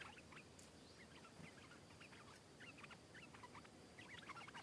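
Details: Thai stripe-throated bulbul, a wild individual singing back at a rival and diving in to fight it hard. Lively bubbling chirps and short slurred whistles come in rapid clusters throughout, at times overlapping, over steady background noise.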